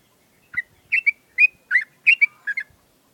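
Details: Mature sooty-headed bulbul kept in a cage, set out for morning dew and sunning, gives a bright ngewer burst: six loud clipped whistled phrases, some doubled, each rising then falling, run close together over two seconds.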